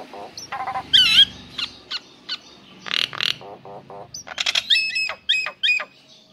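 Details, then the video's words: ['Nias hill myna male calling for a female: loud ringing whistles alternate with rasping squawks and clipped chattering notes in an irregular, busy sequence.'] "Jalak Nias Jantan Memanggi Betina Agar Gacor"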